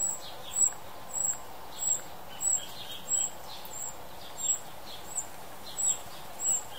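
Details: Juvenile Tūī in New Zealand: short, sharp, very high chirps repeated about every two-thirds of a second, eleven in all, with fainter mid-pitched whistled notes between them over a steady background hiss.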